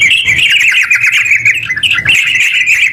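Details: Sooty-headed bulbul singing its long 'ropel' song, meant to prompt silent bulbuls to sing; rapid run of bright, buzzy chirps without pause, briefly breaking near the two-second mark before resuming.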